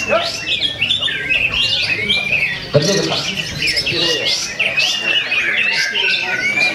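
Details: A bulbul that won first place at a bird-song training contest sings a dense, fast stream of bright chirps and slurred whistles without pause, with other competition birds overlapping and faint voices behind.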